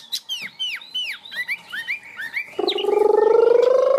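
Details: Tame caged Chinese hwamei, a singing bird in a high 'cao cầu' style: a run of clear, falling whistled notes repeated about twice a second. After that comes a loud, steady, slowly rising droning tone.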